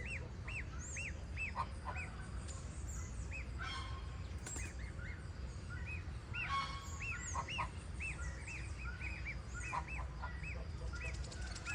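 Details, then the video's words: Young goose chicks peeping: bursts of quick, arched, high peeps that come in clusters and pause, a few sharp knocks and clatters near the middle, faint high chirps of other birds, and constant low background hum. "SOM DE GANSO Filhote Cantando"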